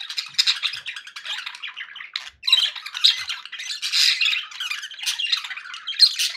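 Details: Pet budgerigars, described as happy, chattering indoors: dense buzzy warbles and squawky chirps packed between about 1 and 8k, in continuous bursts with a brief pause near two seconds, several birds overlapping.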